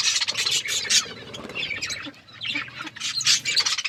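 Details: Budgerigars chirping while eating food and playing: bursts of harsh, high squawky chirps in quick clusters, fading briefly in the middle before rising again.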